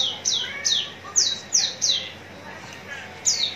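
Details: Bright, piercing down-slurred whistles from a contest-ready Javan bush lark at Citra Raya, Cikupa, Tangerang, repeated about three per second, then a short pause before one more note.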